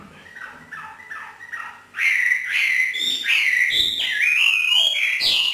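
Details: Hwamei in 'hót thả' free-singing training, northern Vietnam; soft repeated paired notes give way to a loud, continuous run of clear rising and falling whistles with bright, ringing tone.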